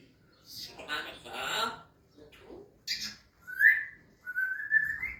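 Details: Talking Grey parrot: speech-like babble first, then clear rising whistles, one short and sharp, then a longer drawn-out whistle that climbs at its end, in a quiet room.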